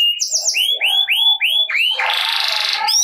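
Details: Canary song of the gacor ngerek style, played to prompt quiet, lazy canaries to start singing: a run of loud, repeated rising whistled notes, then a dense buzzy trill, then more bright rising whistles.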